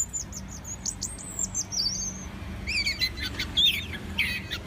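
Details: Orange-headed thrush giving a series of high thin whistled notes, then a jumble of twisting, warbling phrases and short squeaky slurs, against low background noise.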